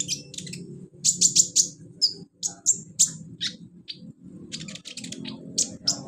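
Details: Wild olive-backed sunbird singing in its natural habitat: quick bursts of very high, thin chirps and sharp ticks in clustered runs, over a steady low hum of background noise.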